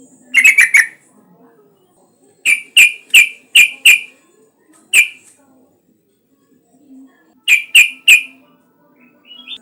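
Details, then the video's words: Yellow-vented bulbul in full voice, recorded as a lure to prompt other bulbuls to sing: sharp, bright chirps in quick clusters of two to five, separated by short pauses, with a faint low hum underneath. "Suara pancingan burung trucukan gacor agar bunyi"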